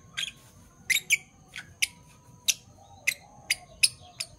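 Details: A pair of Fischer's lovebirds in parblue violet and parblue turquoise mutations chirping in the morning; crisp high notes, some doubled, repeated roughly every half second in an even series.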